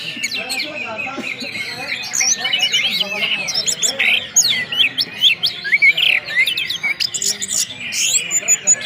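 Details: Caged orange-headed thrush song with whistles in the ngeplong style, used to make the bird sing. Dense, fast high whistled and chattering phrases with sharp rising and falling notes that overlap continuously throughout.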